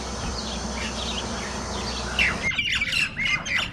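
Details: Jalak nias starlings fighting: quieter chirping at first, then harsh squawks and short whistled notes burst out loudly in the final second and a half.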